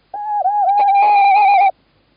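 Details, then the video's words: In Estonia on 11 March 2017, a male tawny owl calls while his mate stays in the nest box, giving a single drawn-out, quavering tonal note of about one and a half seconds in quiet surroundings. "Tawny Owl 2017 03 11 Klaus call"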